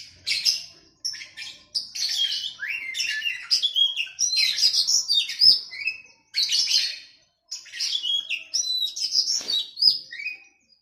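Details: Captive-bird training recording of an oriental magpie-robin against a sooty-headed bulbul. Long, lively strings of bright whistles, slurred notes and chatter arrive in phrases, with brief gaps between them.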